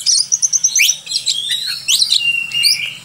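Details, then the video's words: Oriental magpie-robin (kacer) singing in full gacor style, used as a tutor recording for songbirds: loud high whistles, a string of evenly spaced short notes, then sweeping slurred phrases and one long level whistle, with a faint low hum. "Burung Kacer Gacor untuk Masteran"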